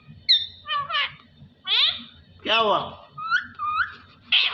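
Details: Pet parrot chatter, a whistled note, warbling voice-like phrases and a deeper word-like call, then short high whistles, each burst separated by brief pauses; constant low hum.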